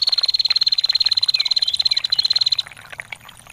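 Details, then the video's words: A female bar-winged prinia delivers a sustained ngetir: a fast, metallic, high ticking trill running unbroken for over two seconds before fading, with water splashing softly beneath. "SUARA PRENJAK BETINA GACOR NGETIR PANJANG"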